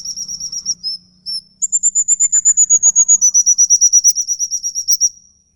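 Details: Long ngikik bird call, a lure for pet songbirds. Quick high notes pause briefly, then a sustained fast trill at a slightly higher pitch runs several seconds. Soft lower chirps and a low hum are also heard.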